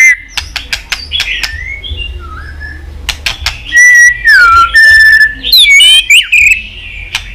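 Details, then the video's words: Pet white-rumped shama in Vietnam, song for stimulating other birds: scattered clicks and soft notes at first, then loud slurred whistles and a rapid high trill near the end. "Chòe lửa tạch liên tục.dùng Kích Chòe Lửa yếu lửa,kích bổi nhanh lên lửa hiệu quả,chòe lửa đập đuôi"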